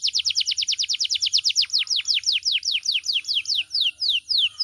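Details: Canary singing hard with a loud, melodious voice: a continuous string of clear high notes sweeping steeply downward, starting fast and gradually slowing, each note ringing and evenly spaced.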